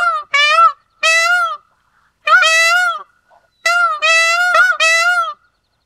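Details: Repeated piercing nasal cries of an Indian peafowl, short yelps followed by longer trumpeting wails, delivered in bursts with brief gaps, against silence.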